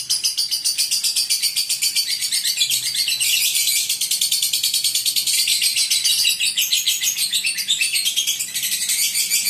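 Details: Lovebird in ngekek style, the mentil mode: one unbroken, rapid, high-pitched rattling trill lasting the whole stretch, made of fast, evenly pulsed shrill notes with no pauses.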